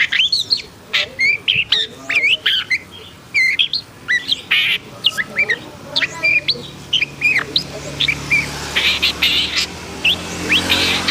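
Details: Long-tailed shrike, black-and-white and described as agitated (emosi), pours out a long, dense stream of scratchy chirps, clicks, squawks and quick whistled slurs in irregular bursts; a low hum runs underneath.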